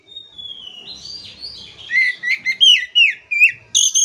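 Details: Training song of the Oriental magpie-robin for a stressed bird: a long thin whistle sliding gradually downward, then a fast series of loud, clear, downslurred notes and high sharp chips near the end.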